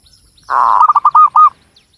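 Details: Cilacap, Central Java: a local Javanese zebra dove sings one sustained coo that breaks into five quick, evenly spaced pulsed notes at the same mellow pitch. Little background sound.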